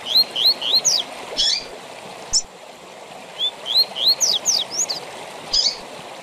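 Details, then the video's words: Double-collared seedeater giving the tui tui zel zel training song for captive birds: quick series of upslurred whistles closing with sharp, buzzy falling sweeps, two full phrases over a steady hiss. "TUI TUI ZEL ZEL DE FIBRA TOP PARA ENCARTE DE COLEIROS E PAPACAPIM"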